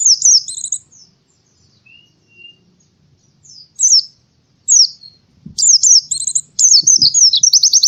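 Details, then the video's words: An Oriental white-eye sings in the morning: separate high, slurred chirps spaced by pauses, building into dense rapid twittering with a few soft knocks underneath. "suara burung pleci di pagi hari"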